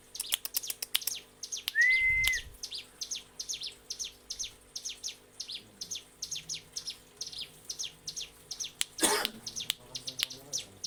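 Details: Mountain prinia singing a ngebren master song used to train caged birds: a rapid, steady stream of thin, high, down-slurred chirps, joined early by a brief clear whistle and later by one loud rustling burst.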